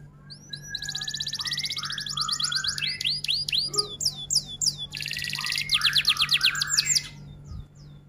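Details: F1 canary in extended rol tembak song: a long fast high roll, a run of looping upswept whistles, then a second buzzy trill turning into rhythmic rising notes, over a steady low hum.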